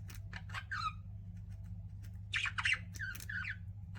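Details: Pet budgies giving scattered short squawky chirps and buzzy rising notes, quieter bursts separated by brief gaps, over a steady low hum.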